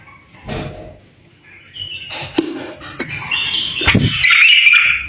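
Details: Tame bulbul singing to stimulate other bulbuls to sing: scattered whistled notes build into a sustained, bright warbling phrase in the second half, with a few sharp clicks and low thumps earlier on.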